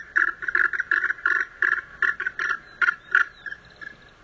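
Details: Andean goose (Oressochen melanopterus), call.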